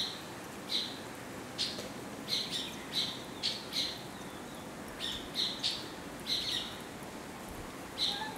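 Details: Indian silverbill giving short, high chirps, singly and in quick pairs, about a dozen spread over eight seconds against a soft, steady hiss.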